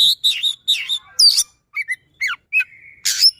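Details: White-rumped shama song played to prompt a silent shama to sing, with fast rolling notes, a few sharp downslurred whistles and one long flat whistle.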